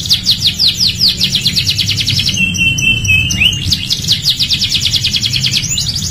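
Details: Canary tutoring song for other birds: rapid ticking high trill, a short smooth whistled note midway, then the quick repeated trill resumes, bright and continuous.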